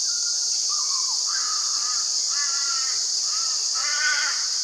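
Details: A male Australasian figbird at Hervey Bay, Queensland, gives five or six short, slurred notes, some dropping in pitch and one harsher and buzzier, over a loud, steady, high insect drone.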